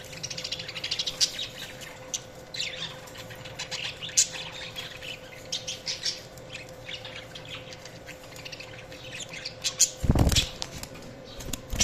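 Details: Budgies chattering continuously with dense, scratchy high chirps and squeaks throughout, interrupted near ten seconds by a loud, low thump.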